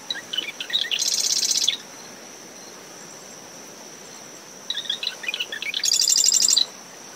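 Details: Two marsh wren songs in early morning from dune shrubs surrounding a nest, brisk post-storm winds: each starts with jumbled chattering notes and ends in a loud, rapid, high trill; steady cricket and wave noise throughout.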